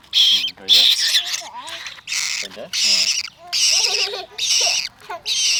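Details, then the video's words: Baby parrot chick hungry for milk during its morning feeding routine: scratchy, wheezing squawks in uneven bursts, overlapping with a person speaking Khmer. "Adorable Parrot Chick Can’t Wait for Milk – Morning Feeding Routine"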